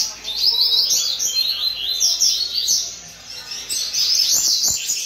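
Several double-collared seedeaters sing at once, a dense, high twittering chorus of fast overlapping phrases. A few low knocks sound near the end.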